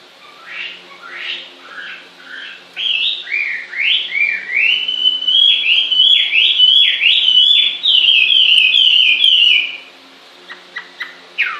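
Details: Long bird song that starts with scattered rising whistles and builds into a fast, sustained stream of zigzagging whistled notes, then stops abruptly with a few sharp calls.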